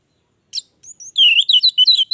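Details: Orange-headed thrush in lively gacor song: a sharp opening note and thin high whistles, then a loud, rapid run of warbled, fluctuating notes.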